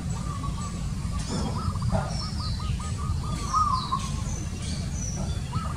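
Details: {'caption': 'Zebra dove delivering a long run of clipped, evenly spaced cooing notes that speed into a rolling trill, with a deep continuous rumble beneath and scattered high chirps from other birds.'}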